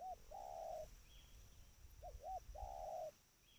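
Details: Trained spotted dove calling: two short, rounded low coos followed by a longer, drawn-out, slightly rough coo, the phrase given twice, with faint high chirps in the background.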